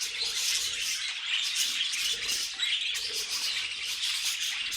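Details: Pet budgies singing as a flock, a thick wall of high chattering, scratchy squawks and twittering notes overlapping without a break.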